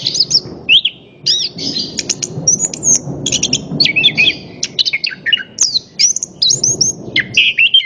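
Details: Orange-headed thrush singing as a lure to prompt other birds to sing: a rich, fast run of varied whistled and trilled phrases, sliding up and down, with short gaps, over a low background rumble.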